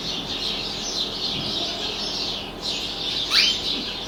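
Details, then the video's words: Domestic canary singing with birds outside the window: a sustained, high, warbling trill with a short dip before the end, then a sharp upward whistled sweep and a louder burst of notes. "singing canary"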